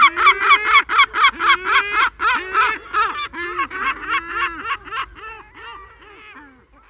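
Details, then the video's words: Herring gulls in a colony: a rapid run of harsh, strident yelping notes, about four per second, starting loud and gradually fading away, with lower drawn-out mewing calls from other gulls underneath. "Herring Gull. CU Long Calls And Mew Calls In A Colony"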